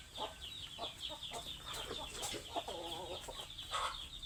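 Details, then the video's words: Several hungry chickens cluck in quick uneven bursts, with one drawn-out wavering squawk in the middle and a steady layer of high twittering chirps behind. "Suara ayam lapar"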